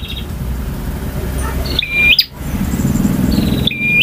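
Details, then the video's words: A male bar-winged prinia gives two song phrases in ngalun and kristal styles. Each is a buzzy rattle sliding into a sharp whistle. Low rumble and faint background noise are underneath. "KICAU PRENJAK JANTAN FULL VARIASI DURASI PANJANG || NGOTOT,NGALUN,VARIASI,KRISTAL"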